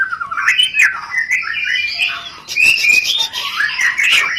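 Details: Mating-stimulation rencetan from a white-rumped shama: continuous warbling chatter with rising and falling slurs, a bright whistled note in the middle, mixed with buzzy higher overtones.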